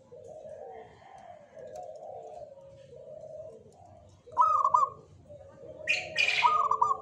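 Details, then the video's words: Local perkutut (zebra dove), Jogoboyo type, cooing softly in low mellow notes, then two loud rippling trilled phrases, with a short burst of noise between them. "SUARA PERKUTUT LOKAL JOGOBOYO"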